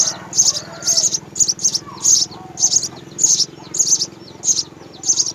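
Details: Nest of house sparrows, both parents feeding three young; piercing high begging calls sound in clustered bursts, often doubled, about once a second, over a low hum.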